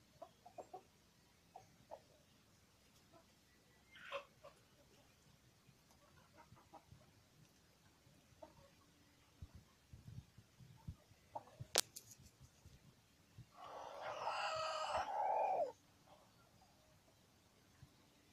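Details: Rooster, a cross between a Polish chicken and an Indonesian village chicken, with a rose comb. Near the end comes one loud, harsh, harmonic crow of about two seconds, after scattered soft clucks and clicks.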